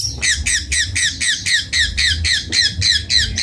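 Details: Cendet bondol, the Long-tailed shrike, repeating one harsh, squeaky downslurred note about four times a second in a steady, even series.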